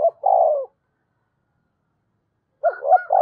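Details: Decoy spotted dove cooing: one long, level, mid-pitched coo, a long silence, then a new phrase begins with quick hooked notes.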